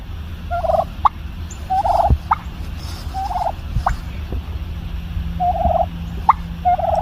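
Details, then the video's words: A turkey hen's little bubble-popping sounds: rhythmic trilled warbles alternating with sharp pops, roughly one per second, with low background hum throughout. "I love the little bubble popping noises our turkey makes."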